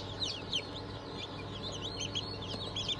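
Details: Freshly hatched Cream Legbar, Sussex, Sultan and Fizan chicks, 20 June 2023 hatch. Scattered high, thin peeps slide downward, a few louder ones standing out, against a constant low mechanical hum.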